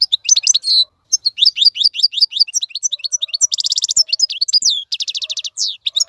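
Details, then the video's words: European goldfinch tutor song for young birds, sung continuously: sweet rising twitters and chattering phrases broken by two buzzy rattled trills, clean with no background noise. "افضل مقنين لتسميع الفراخ. مقنين جميل جدا لتعليم الفراخ"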